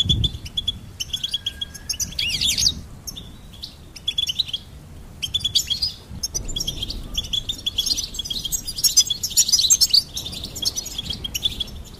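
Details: Goldfinch singing a long, fast, tinkling twitter of high chirps and buzzy rattles that swells to a dense burst near the end. A faint low hum runs beneath.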